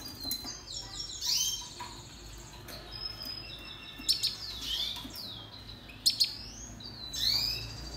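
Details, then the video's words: Red siskin giving scattered high chirps and short rising, twittered phrases separated by quiet gaps, with a faint low hum underneath. "Canto Pintassilgo venezuelano - Red Siskin"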